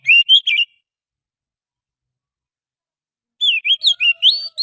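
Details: Oriental magpie-robin lure song from the forest: a brief group of whistled notes, a long silence, then a lively run of rising and falling whistles and chirps.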